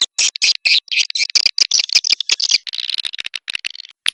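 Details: Swiftlet calls linked to a swiftlet house: dense, high, buzzy twittering chirps in rapid irregular bursts, roughly four per second, with a steadier run of fine chattering notes near the end.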